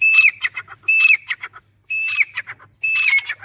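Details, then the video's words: Four rapid grey francolin (dakhni teetar) phrases, each a high ringing whistle that drops into a stuttering run of harsh shorter notes, less than a second apart. "Grey Francolin Teetar Sound"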